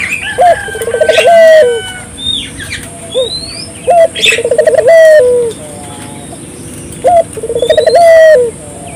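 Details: Barbary dove giving lively coos as a lure for local doves: three bubbling, tremulous phrases each finishing on a held falling note, separated by short pauses, with sharp high chirps from other birds.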